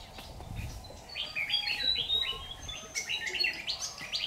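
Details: Red-whiskered bulbul used as a decoy for trapping, recorded 6 August 2019, a bird that sways and slightly spreads its tail; rapid run of bright, warbled whistled notes, several per second, over faint background noise.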